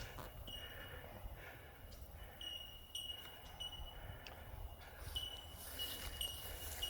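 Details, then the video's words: At a campground behind a community hall near Elands, New South Wales, Bell Miners give a chorus of clear, bell-like 'tink' notes that ring steadily at one high pitch, over a low rumble of wind. "You can hear those bellbirds. Love them."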